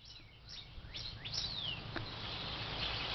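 A female Northern Cardinal sings a few quick, clear downslurred whistles, ending in one longer falling slur, over a steady low background hum.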